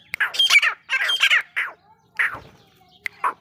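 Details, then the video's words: Grey francolin calling: harsh, grating squawked notes in quick clusters, a pause, then further scratchy bursts ending in a short sharp note. "Desi teetar ki awaz"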